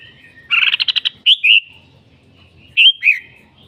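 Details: Red-whiskered bulbul giving a rapid rattled series of about eight notes, followed by cheerful rising-and-falling whistled two-note phrases, all on a quiet background.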